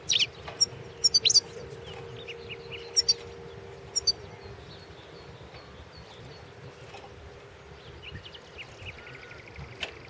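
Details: European goldfinch recorded as an entry in a 2016 world goldfinch singing championship: sharp high twittering bursts and short chirps clustered in the first four seconds, then near silence over a steady low hum.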